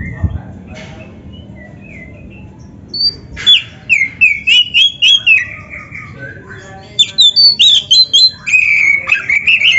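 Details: Prolific Oriental magpie-robin song full of fill phrases, a master track for training birds: a few soft notes early, then from midway a strong run of clear whistles and chirps, a short lull, and another fast burst.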